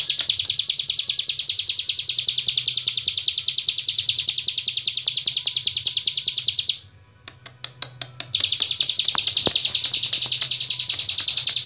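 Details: Hill prinia from Cililin in long-breath tutor song: a fast, high, buzzy trill for about seven seconds, a short pause with a few faint clicks, then the same rapid trill resumes to the end.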